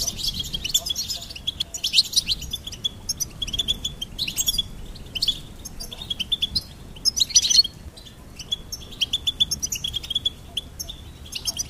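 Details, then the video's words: Lively goldfinch twittering in quick clusters of high, tinkling notes, louder around seven seconds, then softer repeated chirps to the end. "Goldfinch Singing and Song Compilation"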